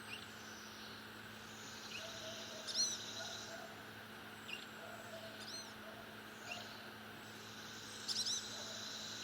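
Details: Blue-gray gnatcatcher calls: a few thin, high, arched nasal notes with stacked overtones, spaced several seconds apart over a steady low hum, with fainter short chips between them.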